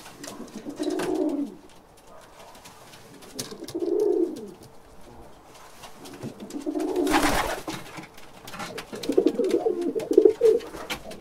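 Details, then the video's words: Pigeons inside a cage giving low, rolling coos in separate bursts about every three seconds, with a sharp burst of wing flaps in the middle and rustling between calls. "Pigeon Bird Sounds"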